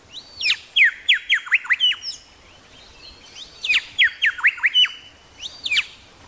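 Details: Grey shrike-thrush, Tasmania, repeating its ringing phrase twice: a rising lead-in then about six sharp notes swooping down from a level high tone, each phrase lasting over a second, with a third lead-in starting.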